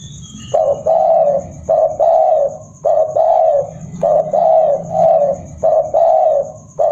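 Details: Old spotted dove giving its three-note "kuk 3" decoy call to lure wild birds, which answer it: loud, mellow, hoarse coos in grouped phrases about every second, with a faint high hiss throughout.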